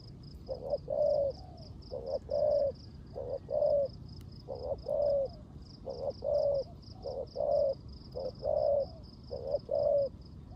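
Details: Caged decoy spotted dove cooing in rain in the 'rước gù' manner: a steady series of paired phrases, a short note then a longer hollow coo, about every second, with rain and high rhythmic buzzing behind.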